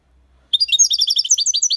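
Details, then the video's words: Clean European goldfinch song of the Málaga copy type, played to stimulate young birds: after brief quiet, a dense, rapid, high tinkling twitter of tightly packed chirped notes runs continuously to the end. "Cantó de Jilguero (copia malaga ) para Estimular niños pajaros/Chant de Chardonneret élégant"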